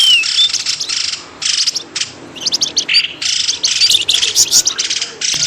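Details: Busy, high chirping used as a lure to pull birds from thick bushes: dense bursts of sharp twittering notes follow one another with brief gaps, and a single whistled note opens the sequence.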